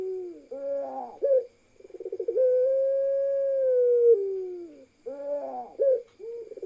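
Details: Pelung-style ringneck dove coo in a parade of several birds with one female: short bubbling lead-in notes, then a long sustained mellow coo that falls away at the end, followed by a broken, stuttering coo.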